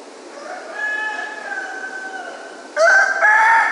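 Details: Roosters at dawn in Ipanema: a distant rooster gives a long, drawn-out crow, then a much louder, nearer crow breaks in, harsh and ringing, cut off at the end.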